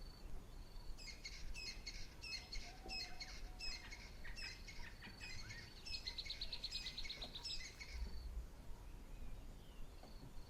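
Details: A rattling cisticola emerging from tall grass in Kruger National Park, South Africa, gives a string of sharp, high chipping notes about once a second, then a dry, fast rattle, over a low rumble of background noise.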